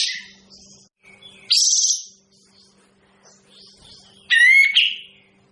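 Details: Kapas tembak bird, a songbird described as sounding unpleasant, uttering a loud scratchy burst followed by a harsh, nasal, harmonic call that slurs downward, with quiet twittering and a faint low hum behind.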